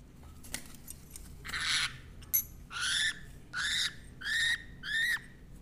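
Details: Parrot in a home, heard around a playing baby, uttering a series of five drawn-out nasal squawks about half a second apart, each a harsh rising note with rich overtones, after a few soft clicks.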